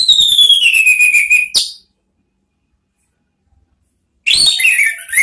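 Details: Orange-headed thrush lure song: a long descending whistled slur ending in a sharp note, silence, then a rising and falling whistled phrase with buzzy overtones.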